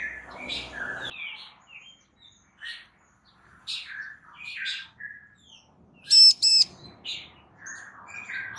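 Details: Bar-winged prinia, a female calling so that a male will answer. A busy chorus of chattering, chirping birds fills most of the recording before one loud pair of sharp, ringing notes cuts through near the end.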